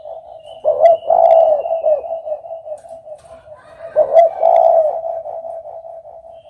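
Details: Repeated spotted dove coo phrases: deep, throaty bursts at about one and four seconds, separated by a softer, continuous low coo.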